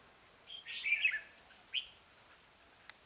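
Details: Red-whiskered bulbul used as a decoy to lure wild birds, giving two bright chirpy warbled phrases followed by a short single note, against a quiet background.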